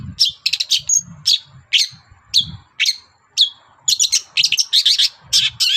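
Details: Morning song of a long-tailed shrike, aimed at getting other birds to respond. Grating chatters and drawn-out descending rasping notes are mixed with a brief high whistle. A faint low hum sits underneath.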